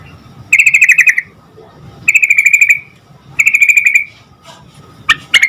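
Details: Spirited sooty-headed bulbul, aimed at getting other bulbuls to answer: three evenly rattled buzzy trills roughly every one and a half seconds, ending in sharp clipped notes.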